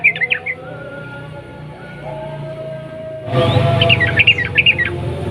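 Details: Sooty-headed bulbul, a kept songbird, singing long rolling, clicking song used as a lure to provoke other bulbuls to sing: two short bursts of quick warbled notes, at the start and near the end, over low steady humming.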